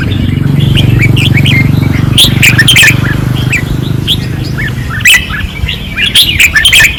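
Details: Red-whiskered bulbuls on a training perch in Pattani, 2024, singing fiercely. Their chattering whistles sound over a loud, steady low buzz or engine-like drone that later fades.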